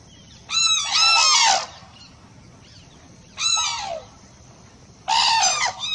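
Loud, rich trumpeting calls of a crane, given in three bursts about every two seconds, each a harsh, rolling, slightly falling bugle.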